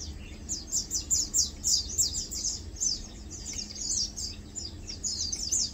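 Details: Lowland white-eyes (Zosterops meyeni) chilling, feeding and preening; a steady stream of thin, high, twittering chirps, rapid and overlapping as from several birds, continuing throughout with faint low background rumble.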